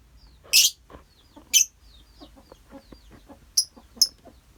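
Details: A lovebird colony calling: four loud, shrill, harsh chirps spaced irregularly across the stretch, with quieter high twittering notes filling the gaps.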